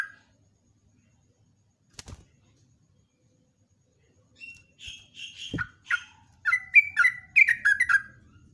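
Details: Morning song of a yellow-vented bulbul in the long rolling ropelan style, used as a lure sound. After a quiet start with a knock, bubbly gurgling notes build into a rapid, chattering, repeated run lasting about four seconds.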